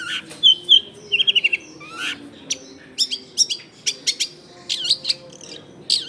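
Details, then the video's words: Long-tailed shrike singing, played as a lure to draw wild shrikes, recorded in a densely populated residential area: varied high chattering phrases, short clipped notes and down-slurred whistles in quick irregular bursts over low background noise. "SUARA CENDET GACOR AMPUH BUAT PANCINGAN CENDET BAKALAN"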